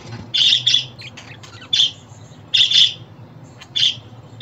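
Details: Sparse budgerigar chirps for a pet budgie: a doubled raspy note, then single harsh calls roughly every second, with quiet stretches between.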